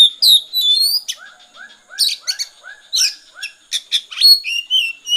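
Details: Oriental magpie-robin delivering rapid 'konslet' song, a dense, varied mix of high buzzy rasps, sharp chips and slurred whistles, ending in a long wavering whistle, with gentle arched notes repeating below.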